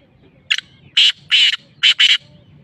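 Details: Black francolin, known locally as Masti Kala Tetar, giving harsh, grating notes in a brisk phrase: a short rasp, two longer scratchy notes, a brief gap, then two more rasping notes.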